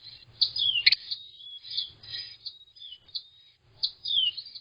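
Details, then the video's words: Carolina Wren nestlings give thin, very high, hissing "seee" calls in overlapping bursts, some sliding downward, typically made when parents arrive at the nest; faint low rumbling beneath. "Nestling Carolina Wren "Seee" calls"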